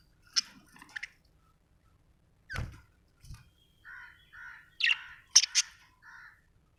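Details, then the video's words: Budgerigar softly chirping: isolated sharp high notes, a couple of low taps, then a series of gentle warbled mid-pitched notes and brighter squeaks. "Budgie chirping sound"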